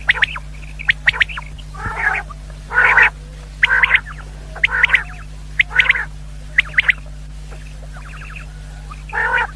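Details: Hunting-lure recording of common quail: short bright notes snapped off in triplets, interleaved with rough nasal bursts about once a second, a constant low hum underneath.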